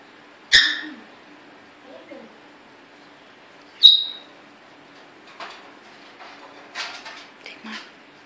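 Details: Newly acquired African grey parrot in a cage giving two abrupt calls, a harsh squawk then a bright downward whistle, followed by softer scattered chatter and clicks, with faint low hum in the room.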